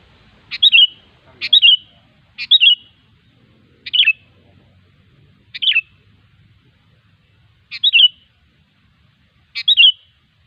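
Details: Sooty-headed bulbul singing in the wild: short liquid bubbly phrases of a few quick notes ending in a whistled slur, repeated every one to two seconds, seven phrases in a quiet setting.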